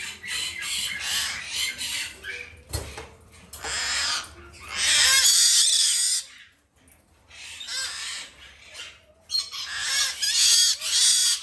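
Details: Male White-bellied parrot chick, green-thighed form, bred in the country and hand-fed three times daily, gives wheezy rasping food-begging cries, loudest in a long burst midway, broken by short silent pauses.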